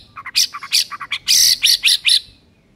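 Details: White-rumped shama master song for training silent birds: fast chattering phrase of short whistled notes building into loud, harsh, high bursts repeated in quick succession.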